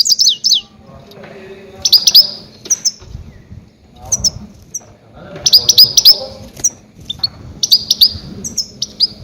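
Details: Goldfinch luring calls for trapping grey-headed goldfinches: repeated groups of sharp, high tinkling chirps roughly every two seconds, separated by quieter gaps with low background rumble.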